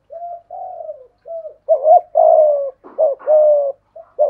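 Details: Spotted doves in a cooing duel, a decoy against a wild dove: quieter smooth coos at the start, then louder rough, wavering coos from a nearer bird alternating with clipped notes.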